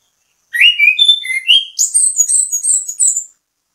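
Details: Anis kembang, the orange-headed thrush, delivering a bait song used to get other birds singing: a three-second sequence of rich whistled notes rising in pitch into rapid high twittering phrases, with a clean quiet background.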